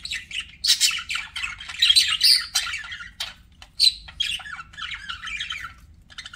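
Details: Budgies chattering continuously in busy, high scratchy warbles mixed with sharp squawky notes and quick tweets, several overlapping phrases with only short breaks.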